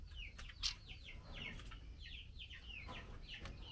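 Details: Short run of down-slurred chirps from a female blue-winged minla calling the male during a mealworm feeding, with a sharp click near the start and low background rumble.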